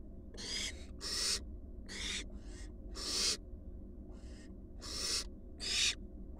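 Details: Four wild barn owl fledglings back at the nest box make rasping, noisy hisses, loud and quieter bursts alternating irregularly, several birds calling against a constant low-pitched hum.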